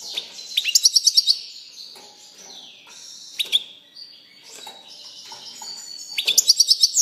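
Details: European goldfinch song: scattered high tinkling trills and thin whistled notes. Quick twittering bursts open and close the passage, with quieter buzzy and chattering sounds between them over soft background noise.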